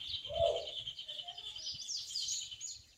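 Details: Yellow-bellied seedeater singing in the wild to its mate, wanting to breed; a continuous high, buzzy chatter with sharp upper flourishes fills the short stretch, while a brief low coo from another bird sounds at the start.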